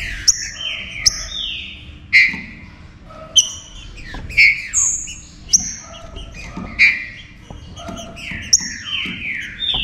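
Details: Saltator warm-up song to make other birds eager to sing: bright whistled phrases gliding downward, mixed with short sharp high notes, in a busy stream over a soft hum.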